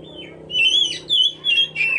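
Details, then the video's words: Oriental magpie-robin song used as bait for other songbirds: clear, rising and falling whistled phrases delivered in three or four loud bursts over a faint low hum. "pancingan kacer"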